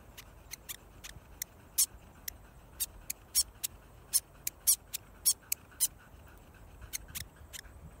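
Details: A friendly, talkative New Zealand fantail, pīwakawaka, close up. Sharp, very high ticking notes come in an irregular chattering series, some louder and some softer, over quiet background.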